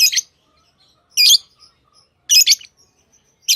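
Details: Lovebird chirps: short, harsh, high-pitched bursts, each a rapid cluster of notes, repeated roughly once a second with faint soft peeps between.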